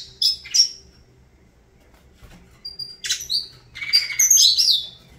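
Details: Canário da terra, a saffron finch, delivering song: two sharp high chirps, a silent gap, then a thin whistle leading into a dense, tumbling run of shrill chirped and trilled notes near the end.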